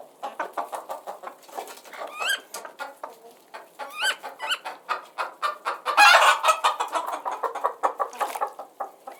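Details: Many chickens clucking and cackling together, short repeated notes mixed with higher rising squawks, and a louder burst of clucking around the middle.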